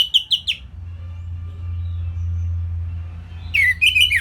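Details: Orange-headed thrush song used to train songbirds, northern Bali: short bright whistled notes at the start, a pause filled with low hum, then a burst of rapid warbled phrases.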